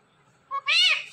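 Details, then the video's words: Talking pet parrot gives a quick two-part spoken sound, a short clipped tone then a louder arched, strained syllable, high-pitched and nasal, ending abruptly against a soft background hum. "Gor Awarded This Parrot With Best Talking"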